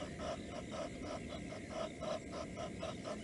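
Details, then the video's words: Blacksmith lapwing driving ducks into a lake at Nkorho, Africa, on 22 September 2022. Short clipped notes come in a quick, slightly uneven run of roughly four per second, with a constant noisy outdoor background. "patkós bíbic/ blacksmith lapwing"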